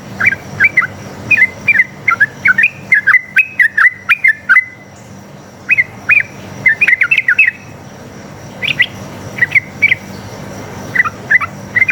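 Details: Lure recording of a sooty-headed bulbul in energetic forest-style fighting song, meant to make other bulbuls answer; clear, slurred whistled notes repeat in fast runs, then spaced single phrases, with a soft low hum underneath.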